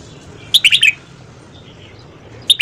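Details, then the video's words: Morning singing of a red-whiskered bulbul for voice training: one fast, bright phrase of about five warbled, slurred notes, then a quiet pause, and the start of another phrase at the end. "luyện giọng chào mào hót sáng"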